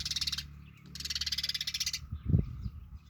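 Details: Sparrow giving two long harsh, buzzy chattering bursts of rapid pulses over about two seconds, followed by a low voice talking and steady background hum.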